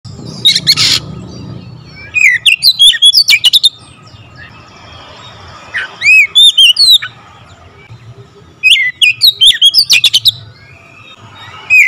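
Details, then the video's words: Oriental magpie-robin singing a rapid, varied song of full variations: bursts of sharp clicks and chattering buzzes alternate with looping whistled notes that rise and fall, grouped in phrases with short pauses between; a faint steady hum underneath. "Kacer gacor nembak rapat full variasi isian"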